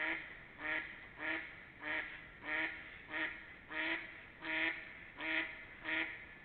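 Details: Steady run of ten harsh, reedy duck quacks over about six seconds, spaced with clockwork regularity, recorded in early spring 2021, 28 March to 3 April, with faint background hiss.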